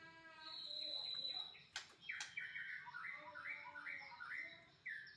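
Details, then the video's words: A white-rumped shama gives varied high chattering phrases and rising whistled notes, broken by two sharp clicks, against a background hiss. "kicau ku"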